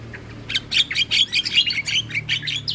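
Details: Javan myna used as a morning tutor recording for young birds: a quick string of harsh, squawky, chattering notes repeated several times a second.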